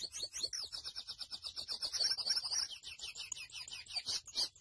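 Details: Grey seedeater (mochuelo) singing nonstop: a quick, high, chattering series of repeated chirps and short trills, with brighter, louder notes near the end.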